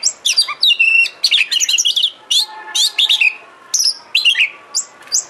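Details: Bait song of an Oriental magpie-robin (kacer), used to make a kacer sing and open its tail. Rich, fast phrases of piercing chirps and a held whistle fade into shorter spaced notes, over a faint background hum.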